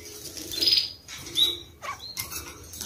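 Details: Red-fronted kakariki pair kept as pets, the male rushing to cut, peeled apples with his mate after a bath; high, shrill squeaky chattering notes, one short sliding whistle dropping in pitch, in a quiet room.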